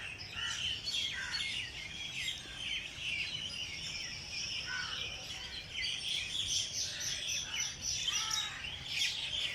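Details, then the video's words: A dawn chorus of several birds singing early in the morning in Jilani Park, Lahore: overlapping high chirps, twittering trills and short whistled notes over a faint background hum. "Birds sings in Jilani park Lahore early morning پریندوں کے پیارے گیت صبح کے وقت صحت بخشتے ہیں"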